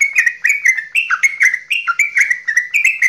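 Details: Javanese straw-headed bulbul in a long goklikan, sung to make other bulbuls active: loud, sweet, rapidly repeated notes that rise and fall, clean with no background sound.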